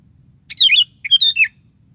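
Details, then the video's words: [8, 'Sooty-headed bulbul singing actively, used as a lure to provoke other bulbuls: two rich phrases of slurred, liquid whistles, each rising then falling, separated by a brief gap.'] "DENGAR SUARA BURUNG KUTILANG GACOR"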